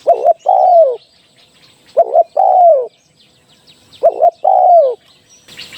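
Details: Trapping decoy recording of a spotted dove: three evenly spaced coo phrases about two seconds apart, each a quick doubled note then a sustained downward-curving hoot, with soft distant bird chirps.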